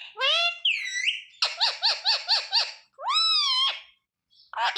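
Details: Talking ringneck parrot repeating mummy, papa, mithu: a rising whistled word, then a rapid string of six pulsing syllables, then a long drawn-out phrase with a downward bend.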